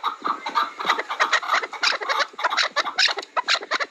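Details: Overlapping chukar partridge calls, a jumble of harsh clucks crowding together in a busy, uneven chorus of chuk notes.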